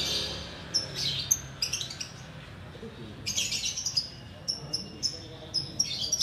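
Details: Sooty-headed bulbul, a kept bird, singing in the Ramadan hour before breaking the fast: short bright whistled notes and sharp chirps in scattered bursts, some rising and falling quickly, with a low background hum.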